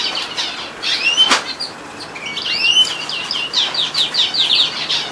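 A frill canary sings a bright, high warble of sweeping whistles and quick rattling trills, with soft fluttery rustles in the background.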